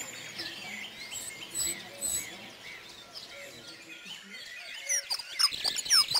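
A Dunnock's thin, high, hurried warbling runs on and off through the clip, with louder, sharper twittering toward the end amid other small birds calling.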